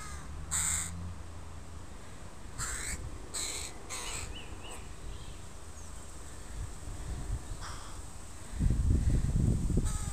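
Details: Crow family with young crows in a park, recorded on a Sunday: a few harsh, broadband caws with stacked overtones, spaced unevenly over ten seconds, then low rumbling noise toward the end.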